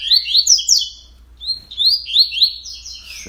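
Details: Coleiro singing at 06:30 on 31 October: a fast string of sharp sliding whistles, a pause, then another quick phrase ending on a steady high note.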